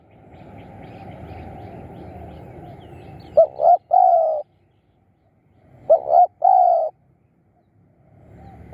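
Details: Spotted dove used as a decoy to lure wild birds, giving two short cooing phrases, each a quick double note followed by a longer drawn coo, after a stretch of broadband noise; noise returns at the end.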